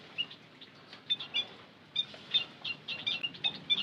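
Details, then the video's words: Lure call of the white-headed munia, a series of sharp, high-pitched chirps given in irregular bursts with brief pauses, some notes doubled or tripled, against quiet background noise. "Suara Pancingan Emprit Kaji - Bondol Haji"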